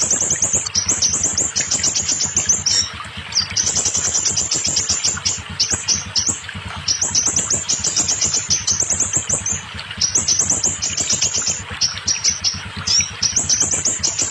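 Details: Scarlet minivet song meant to get untamed, stalled or molting kept birds singing. Dense bursts of high, sharp chirping notes come in long rapid runs separated by short breaks, with a faint low rhythmic thumping underneath.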